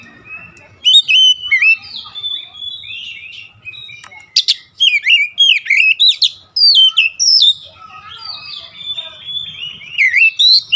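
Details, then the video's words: Singing Oriental magpie-robin (kacer), used to raise emotion in other kacer: a long, varied stream of rich whistles, slurred chirps and sharp clicks, in dense bursts separated by short pauses. "KICAUAN MENAIKAN EMOSI KACER"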